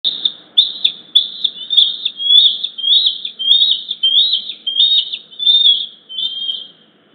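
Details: Two bald eagle eaglets on a nest camera in Hays, 07-06-2023 at 15:40, squeeing in two-part harmony as a parent flies by: about a dozen high, thin, slurred squeals repeated steadily, each about half a second apart.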